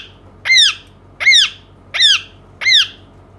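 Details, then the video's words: Pet Indian ringneck parakeet indoors calling four loud, grating squawks, each arching up and down through bright harmonics, spaced about 0.75 seconds apart over a faint steady room hum. "cute parrot talking indian ringneck"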